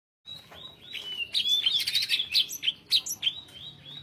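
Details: Caged greater green leafbird in full, continuous song with long pauses between phrases: rapid varied whistles and chattering notes, some rising and falling slurs, delivered in a busy sequence with faint low background hum.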